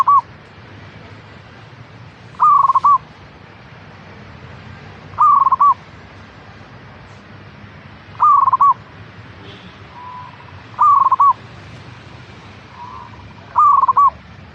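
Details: Song of a zebra dove (local perkutut strain) used to prompt caged birds to sing: six short rolling, pulsed coo phrases repeated roughly every three seconds, with faint quieter notes between and background hiss.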